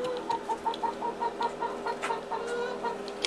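Chickens cluck softly in a steady run of short, mid-pitched notes, about five or six a second, with a few fainter squawks behind.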